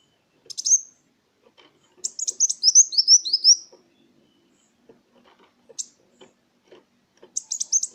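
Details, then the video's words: Kolibri wulung sunbird song used to prompt silent birds: a high chip, then a quick series of thin descending notes, scattered soft clicks, and another twitter at the end. "Suara pancingan burung Kolibri Wulung"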